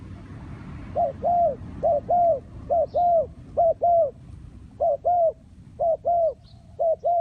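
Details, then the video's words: Soft repeated cooing of a spotted dove: a quick clipped note, then a drawn-out mellow coo, with about six such pairs in a row and a low rumble underneath. "The Sound Of Spotted Dove"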